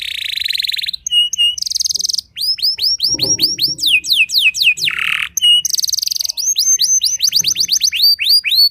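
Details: Canary in full song, claimed to unsettle other canaries: buzzy trills alternate with brisk series of rising and falling whistled slurs and short level whistles, a long varied sequence.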